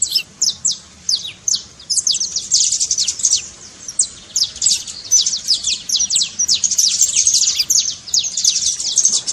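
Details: Trincado song of a saffron finch, used to fire up a silent canary: a few spaced high chips at first, then long, dense rattling runs of steep downward-sweeping notes.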